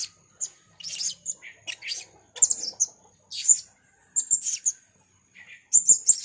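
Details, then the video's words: Piercing high twittering bursts, roughly every half second, from a 'rintik merah' blue-crowned hanging parrot calling tirelessly in gocor fashion, with clean silence between groups. "serindit rintik merah gocor"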